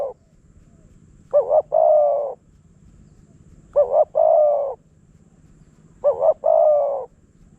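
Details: Wild spotted dove lured by a decoy in Phrae, Thailand: three evenly spaced phrases about two and a half seconds apart, each a sharp double note then a long hoarse coo, quiet background.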